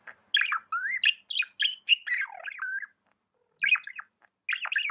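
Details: Pet budgerigar chirping: a quick run of bright, warbled chirps and short rising and falling whistled notes in bursts, a pause of about a second, then more scratchy chirps. Quiet background.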